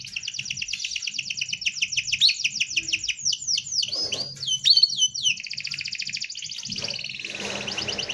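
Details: Canary singing a packed rolling song used as a tutoring model: steady rapid trills broken by a cascade of swooping whistled notes, ending in a long rattle with some background noise.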